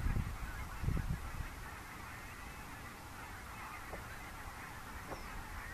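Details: Wild geese of three kinds, Barnacle, Greylag and White-fronted, pass in their thousands at dawn from IJsselmeer roost to nearby fields, Gaat, Netherlands, October 2015. Strong honks open, then fade to distant, sparse calling over hiss.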